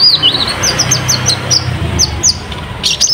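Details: Kolibri ninja, the olive-backed sunbird, in full song as bait to coax juvenile spotted sunbirds into singing; a steady string of thin, high, downslurred chirps, about three per second, over a low background hum.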